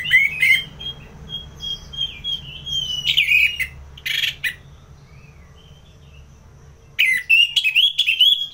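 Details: Orange-headed thrush singing in ngeplong style, North Bali (Singaraja), serving as a trigger and tutor song: a long sustained whistled line with wavering notes, sharp burst near three seconds, then a vigorous warbled phrase at the end.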